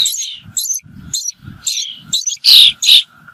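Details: Harsh, high chattering bird calls come in short bursts, ending with two loud, strident shrieks; faint low thumps sound beneath the calls.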